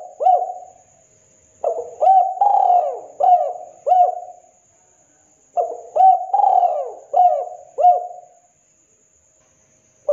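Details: Lively local spotted dove repeating its cooing phrase twice after a trailing coo: a quick pickup note, a drawn-out descending coo, then several short rounded coos, with pauses between phrases.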